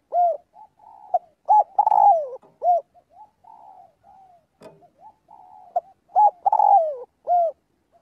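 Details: Daily flock-calling practice by a spotted dove: two emphatic phrases about five seconds apart, each with sharp hoots and a long, downward-bending coo, separated by a stretch of soft, steady murmuring notes.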